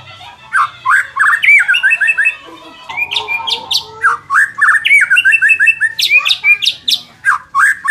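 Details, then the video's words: White-rumped shama song, played to make a less aggressive bird more competitive: continuous rich sequence of quick whistled notes and sharp upward sweeps with some raspy chatter mixed in, over faint low hum. "suara ini dapat mengatasi murai batu kurang ngotot"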